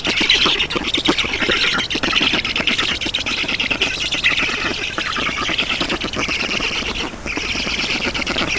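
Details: Black storks at a nest in Estonia on 7 June 2019 around 11:03, as an adult brings water; continuous harsh, raspy squawking in dense rapid pulses, sustained throughout with a brief dip near the end.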